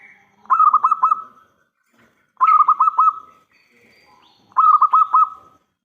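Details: Local zebra dove cooing, used as a lure to make other doves answer: three rolling coo phrases, each of four or five quick throbbing pulses on a mellow tone, spaced about two seconds apart.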